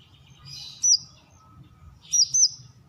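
Brown-throated sunbird giving sharp, very high chirps: a single note, then a quick pair just over a second later, over a faint low background rumble.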